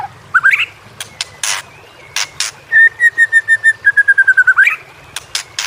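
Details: White-rumped shama training recording: scattered sharp clicks and noisy bursts, then a rapid even series of about a dozen level whistled notes slightly falling, ending in an upward flourish.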